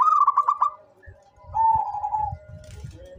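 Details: A local zebra dove, described as singing often, gives a rapid run of bright pulsed coos, then a long smooth level coo, over low thumping background noise.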